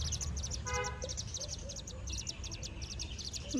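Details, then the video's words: Buff-banded rail chick giving rapid, thin, very high peeps, several each second, with a low traffic rumble and a brief horn-like tone underneath. "Baby Buff-banded Rail Making the Cutest Noise"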